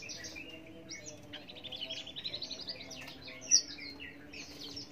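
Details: Australasian bushlark song: a fast continuous run of thin high chirps and buzzy trills, varied and tumbling, with one sharper high note past the middle, over a soft low hum.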